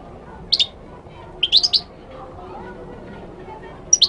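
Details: Moroccan goldfinch from Morocco producing three brief snatches of high, bright chirping notes with pauses between, over a low murmuring background.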